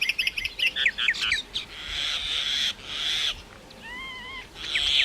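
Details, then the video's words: Myna calling with a rapid series of harsh, rasping notes, then drawn-out buzzy screeches and a pair of clear, wavering whistled notes near the end. "maina sound Effects"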